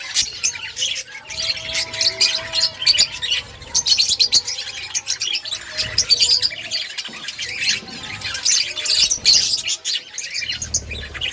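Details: Chorus of budgerigars in an outdoor colony: continuous overlapping high chirps, squeaks and scratchy warbles, with soft lower whistled notes and occasional wing flutters.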